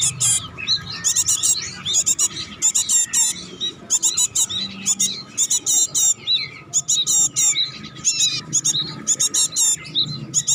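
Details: Bar-winged prinia kept at home, delivering dense, high-pitched chattering bursts, each under a second long, repeated almost continuously with brief gaps; faint low hum behind.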